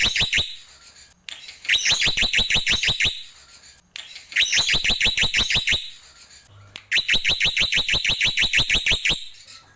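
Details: Black-winged myna (jalak putih) tembakan song: four loud bursts, each a machine-gun run of ten or more sharp, upswept notes, separated by brief quieter gaps with faint chatter.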